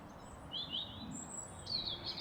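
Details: European robin singing in a churchyard at Stilton, Huntingdonshire, in spring among jackdaws, song thrush and blue tit: two short, thin, high warbling phrases, each with quick liquid trills, over faint low background rumble.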